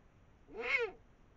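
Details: A female and male Eurasian eagle-owl eating a brown rat over the Moselle valley at 5 am, 21 March 2022; one hoarse, screechy, arched call lasting about half a second, cat-like in tone, with little else heard.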